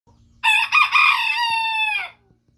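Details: Small rooster that crows exactly at 5 in the morning with a peculiar voice: one loud, harsh crow of about 1.7 seconds, rough at the start and then a steady drawn-out tone that fades. The background is otherwise quiet.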